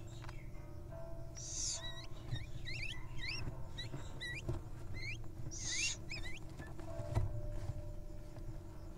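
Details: Wild little owl chicks at the nest preening each other: two harsh hissing bursts separated by a rapid series of short, upward-curling squeaky chirps, with a low steady hum beneath.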